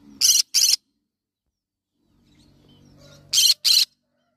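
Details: Yellow-sided conure calling: a pair of rasping, broadband squawks, a long quiet spell with a faint low hum, then another matching pair of harsh squawks.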